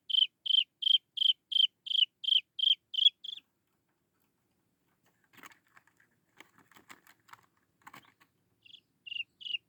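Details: Chinese francolin chick calling for its mother: a rapid series of about ten clear, high, piping notes, each sliding down at the end. A long pause with faint rustling and clicks follows, then the peeping resumes.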